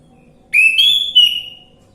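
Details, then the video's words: Orange-headed thrush song used as a lure to prompt a silent bird to sing: one loud, clear whistled phrase that rises and then slides slightly downward, with a brief break in the middle, against a quiet background. "Pancingan Anis merah macet bunyi"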